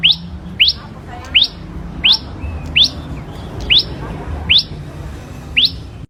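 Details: Hand-raised Ashy prinia repeating a quick upward-sweeping whistled note about every seven-tenths of a second, eight notes in total, with faint softer chirps between and a low steady hum behind.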